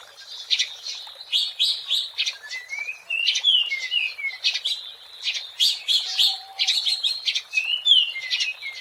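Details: Wild Oriental magpie-robin (kacer, Copsychus saularis) singing energetically, used as a lure for trapping; continuous phrases of high chattering notes mixed with clear, descending slurred whistles, steady throughout.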